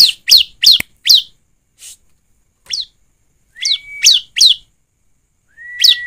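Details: Bar-winged prinia singing, played as a lure to prompt singing: a fast series of four sharp, high, down-slurred chirps, a pause with scattered single notes, then more chirps and two long, steady whistles.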